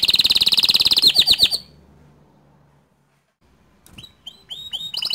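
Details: Canary singing to set off other canaries: a fast, loud rolling trill that breaks into quick downward-swept chirps, silence for about two seconds, then spaced rising whistles building back up.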